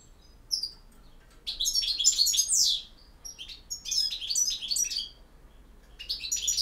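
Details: European goldfinch in campero song: after a lone high chirp, two long, loud runs of quick, liquid twitters and buzzy slurred notes, followed by the start of another phrase.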